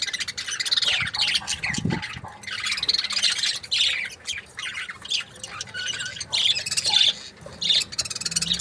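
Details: Several breeding-pair budgerigars keep up busy chirping and grating warbles in waves, some calls sharp and high, with a brief low thud early on.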